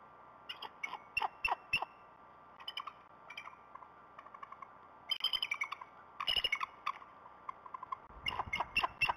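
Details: A pair of wild bald eagles at the Decorah North nest on a February morning, working on the nest bowl and calling to announce one bird's arrival before going on alert. High, thin chittering notes come in quick bursts over a steady electrical hum.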